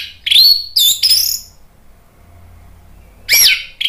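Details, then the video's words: Orange-headed thrush song used as a lure track to provoke a silent bird into singing. Loud, rich phrases of sliding whistles and harsher notes come in three quick bursts, then a pause before another burst. "PANCINGAN ANIS MERAH biar EMOSI jadi NYAUT BUNYI GACOR NGEPLONG"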